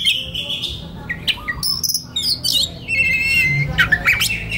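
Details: Oriental magpie-robin song, relaxed then konslet, used to train young wild-caught birds; a held whistle, then scattered sharp notes and fast sweeping chirps, ending in rising whistled phrases over a low hum.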